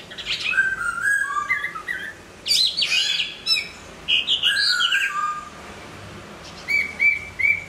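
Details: Moulting Hwamei delivering a varied song: mellow low whistles, then louder bursts of tumbling, rising notes, ending with three short repeated whistles after a brief quiet gap.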